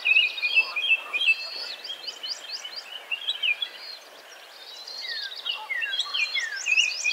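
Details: A bald eagle eaglet near Hannibal, Missouri, by the Mississippi River in mid-May, calling for something, gives thin, high chittering chips in quick runs with a few sharp downslurred notes near the end, over a soft outdoor hiss.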